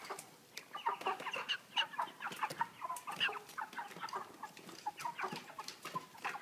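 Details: Heavy broiler chickens, 3 kg, housed in a cage with a pan feeder keep up a continuous stream of overlapping clucks and squeaky chirps, punctuated by clicks from the equipment.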